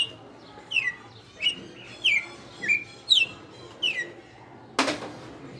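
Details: Red-cowled cardinal held in captivity for five years delivers açoite song, bright descending whistled slurs spaced about every two-thirds of a second, ended by a sudden sharp knock or click.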